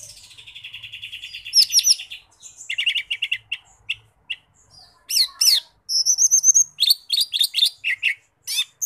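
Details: Lesser green leafbird (cucak ijo mini) in lively song: a long chattering run of quick notes, high rising whistles, clipped chirps and shrill downslurred phrases, varied and continuous, with no background noise.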